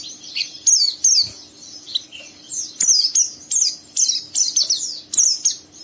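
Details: Rough ngeriwik chatter from a young caged oriental white-eye urging another bird to open its beak and sing; high, clear chirps and slurred whistles in short phrases about every half second.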